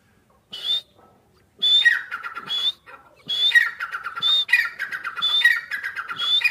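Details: Grey francolin chicks while feeding: bursts of chirpy calls, each with a thin high whistle followed by a run of descending clipped notes, coming in groups roughly every second after short silences.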